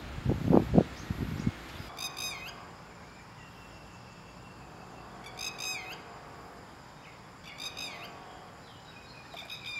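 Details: A red-wattled lapwing, one of two staying in a garden and defending against close approach, gives spaced bursts of shrill, rapid, ringing notes with falling ends, roughly every three seconds, after a brief low thumping noise at the start.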